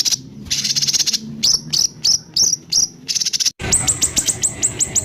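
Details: ["White-rumped shama 'tembakan kasar' song for training caged songbirds: buzzy high bursts, then short slurred whistles repeated about every third of a second, then a fast string of sharp descending high notes after a brief break."]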